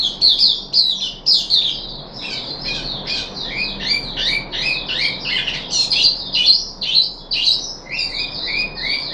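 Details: Caged puff-backed bulbul on its third day of deworming, 14 July 2021, giving a long run of rapid, sharp chirps and slurred notes, about two per second, with a faint room hum underneath.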